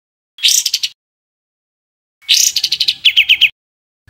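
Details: Bird song in the rough 'tembakan kasar' style, compiled as tutoring material for caged songbirds: two scratchy, chattering phrases of quick staccato notes, the second longer and ending in a run of even chips.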